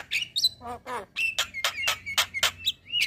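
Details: Male white-eyed Javan myna singing to draw song from other mynas: a few chirps, then a string of harsh, clipped notes with short whistled slides, about three per second.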